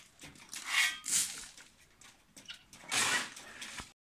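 Siamese fireback giving two harsh, hissing bursts about two seconds apart, each broad and rasping with a faint tonal edge.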